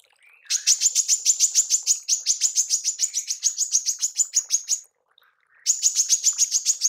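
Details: A female manggar repeats its tembakan call, used for songbird training: a fast, insistent run of high, staccato chips for about four seconds, a brief gap, then another run.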